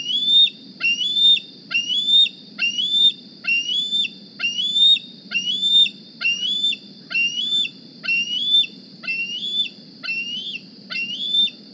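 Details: Bald eagle fledgling hatched 8 April 2020, at the nest in the morning looking for a meal, squees steadily: around thirteen sharp, rising whistled notes in a regular, near one-per-second rhythm against faint hiss.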